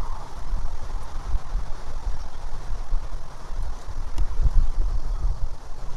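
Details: Low buffeting wind or engine rumble, fluctuating in loudness, with no animal call anywhere.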